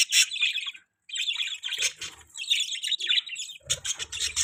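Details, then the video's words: Budgerigar chirping: lively high chattering warble with quick scratchy notes, a short silence near the start, then continued twittering and a burst of louder squawks at the end. "Budgie chirping sound|Budgies beautiful voice|Parakeet bird sound"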